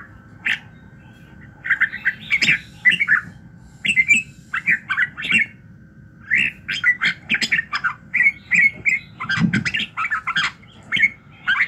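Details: Red-whiskered bulbul singing in the morning, a recording for voice training meant to fire the bird up: loud, bright whistled and chattering phrases in quick bursts, with short pauses between, over a steady faint tone.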